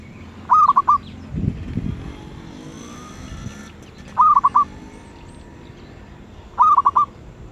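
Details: Zebra dove with a medium-pitched voice giving short stuttering coo phrases of four or five quick notes, three bouts spaced a few seconds apart, with a low rumble and faint background noise between.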